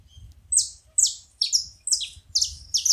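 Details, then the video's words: Saffron finch making noise at a feeding spot: six bright, piercing chirps sweeping downward, spaced roughly half a second apart, with a low murmur beneath. "Canário da terra fazendo barulho na seva"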